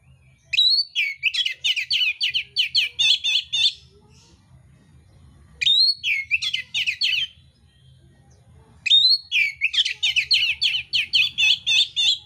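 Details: Oriental magpie-robin (kacer mintal) giving its fighting song with rough filler: three loud bursts, each starting with a high upslurred whistle and continuing as a fast rattling series of harsh repeated notes, over a steady low background hum.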